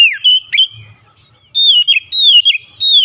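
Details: Provoked by a rival, an oriental magpie-robin sings loud pure whistles, some sliding and wavering, several held for a moment, separated by a brief quiet spell.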